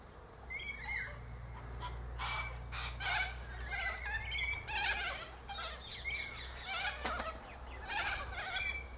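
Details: Many Sulphur-crested Cockatoos high in a Silky Oak tree, feeding on seeds from pods. A near-continuous chorus of harsh, raucous screeches, one overlapping the next for the whole stretch, over a low hum.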